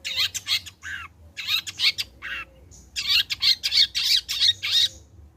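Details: Long-tailed shrike (cendet) in vigorous vocal display, meant as a lure to set shrikes singing: rough, scratchy squawking notes repeated about three per second in two bursts separated by a short pause.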